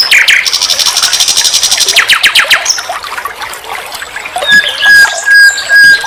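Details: Nightingale song recorded for teaching other songbirds: a bright rapid trill, then a string of rising repeated notes, and finally clear pure whistles each held on a single pitch.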